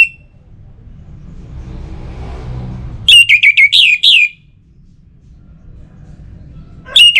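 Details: Orange-headed thrush lure song: a low rumble swells and fades, then a dense phrase of loud, rapidly repeated, rich whistled notes with a fresh phrase starting at the very end.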